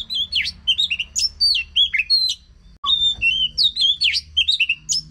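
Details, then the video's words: ['Oriental magpie-robin singing, a recording meant to stir a quiet bird into song. Bright, tumbling whistles and swooping notes, a short break near three seconds, then the lively phrases resume over faint hum.'] "Pancingan Ampuh untuk Kacer yang Macet Bunyi"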